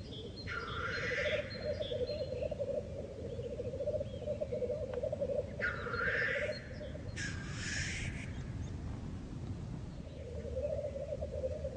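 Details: Black grouse at the lek: steady low bubbling, rolling coos run throughout, broken by loud harsh hissing sneezes, two close together in the middle.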